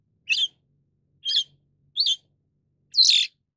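White-shouldered Starling giving four short, harsh chirps at irregular intervals, the last one longer and rougher; nothing else is heard.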